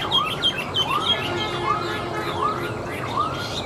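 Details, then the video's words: A hand-tamed Chinese hwamei, placed on a table, sings a series of rising, slurred whistles repeated roughly every third of a second, with higher notes above, over a constant loud hiss. "Họa Mi Hót"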